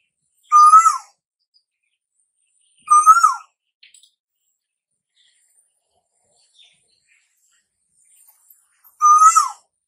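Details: Asian koel, a bird said to call summer in, repeats a loud whistled note three times, at irregular gaps of two to six seconds. Each note climbs a little, then falls away. Faint ticks are heard between them.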